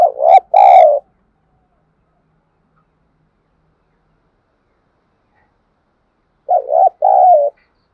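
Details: Spotted dove calling to lure wild doves. Two short loud bursts of low cooing several seconds apart, each a brief double note followed by a longer wavering coo. Silence in between.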